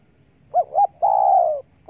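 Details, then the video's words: Spotted dove call used to lure wild doves: two short, hollow coos, then one long, steady coo that falls slightly at the end. A further coo begins as the recording ends, over a quiet background. "Chim cu gáy chiêu kích mồi tập bổi nhanh nổi hiệu quả"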